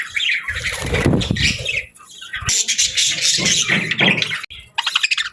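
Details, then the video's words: Morning budgerigars keep up scratchy, overlapping chirps and squawks, interrupted by loud low flutters and bumps, with a short lull near the end. "Birds Chirping Sounds 🌅🐦 Budgie Morning Melodies for a Happy Start!"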